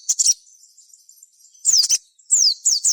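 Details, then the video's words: A sogon sings as a lure for other sogon. A quick cluster of high notes, a pause with a faint thin trill, then clear descending slurred whistles repeated three times. "suara sogon gacor ini"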